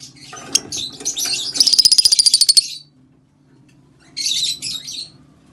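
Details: Rosy-faced lovebirds calling to stimulate mating: a scratchy chatter that builds into a fast, pulsing squeal, a pause of near silence, then a short burst of shrill chirps.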